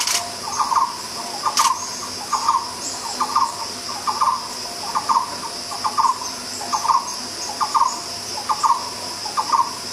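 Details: Regular short trills from a barbet, about one burst per second, run through a continuous high-pitched insect drone.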